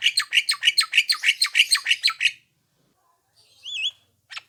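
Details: Javan myna call played back to draw answers from other mynas: a fast, even burst of about fifteen harsh chattering notes, silence, then a short wavering whistle and one brief rasp.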